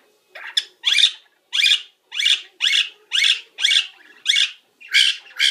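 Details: Pet parrot at nap time, indoors, mimicking household birds and microwave beeps: a loud series of about nine harsh, raspy squawks, each roughly half a second long, repeated steadily every half second or so.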